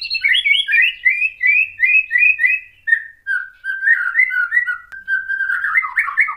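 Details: Provoking song of a white-rumped shama: a run of repeated rich whistled notes about three per second, then lower fluting phrases and a warbled ending.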